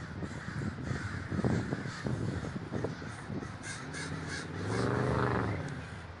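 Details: Crows massed at a communal gathering in Davis, California, cawing harshly and repeatedly; a louder droning sound swells midway, with constant low hum throughout.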